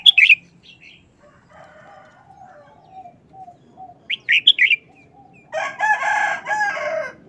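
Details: Short wild-style singing from a caged red-whiskered bulbul: two brief bursts of bright whistles separated by soft twitters, followed by a loud harsh rooster crow.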